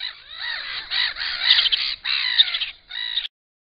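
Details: Black-winged stilts at a nest holding an enlarged clutch, giving harsh, yelping calls in overlapping bursts that stop abruptly.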